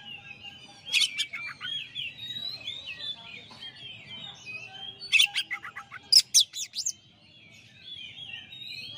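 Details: A champion Oriental magpie-robin sings in a master song recording. Loud chips lead into quick falling note runs, then a rapid series of sharp notes, over a steady bed of soft whistled phrases from other birds.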